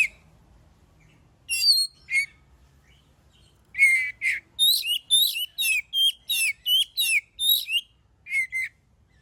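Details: Oriental magpie-robin singing vigorously, used as a prompt for other birds to sing; sparse whistled notes at first, then a dense run of about twelve buzzy, descending chatter phrases.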